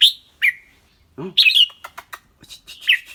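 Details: Red-whiskered bulbul, caged and clear-voiced, singing and chattering: a bright whistle, a falling note, a man's brief hum, then a loud warbled phrase followed by rapid clicks and whistles.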